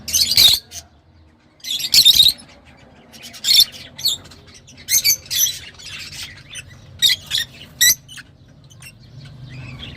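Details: Lovebirds kept at home giving loud, harsh squawking bursts at irregular intervals, roughly every second or two, between quieter chirps, with a low hum in the background.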